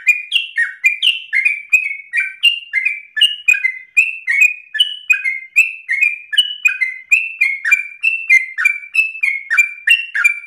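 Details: Sooty-headed bulbul in lively, persistent 'narung ropel' song: a rapid, unbroken stream of short bright notes that jump and slide between two pitch levels, several per second, with no other sounds.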